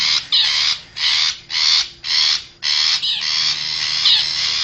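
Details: Lure call of a wild forest long-tailed shrike to attract wild birds: a string of loud, grating rasps in regular pulses, merging into a longer continuous scratchy stretch near the end.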